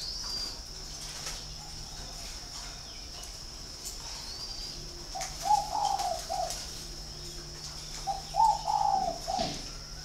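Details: After a quiet start, a spotted dove gives two low, mellow cooing phrases of several soft notes each, roughly three seconds apart. Faint high chirps sound in the background.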